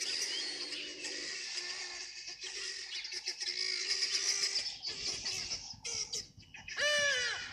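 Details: At a waterhole at Sabi on 7 September 2025, a flock of helmeted guineafowl alarm-calls at a predatory African hawk-eagle bathing nearby: dense overlapping clatter of harsh, rapid high calls, another bird's sharp rising notes near the end.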